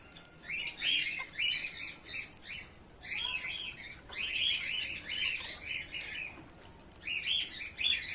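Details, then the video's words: A colony of white Bengalese finches, males and females together, chirping in busy repeated clusters of short notes separated by brief pauses. "bengali finch | white finch | finch bird colony | finch birds male female"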